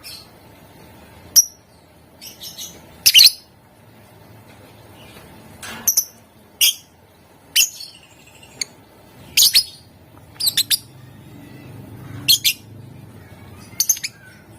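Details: Caged lovebird chattering to prompt other lovebirds into song: irregular sharp high chirps and squeaky squawks, singly and in quick clusters, spread through the clip.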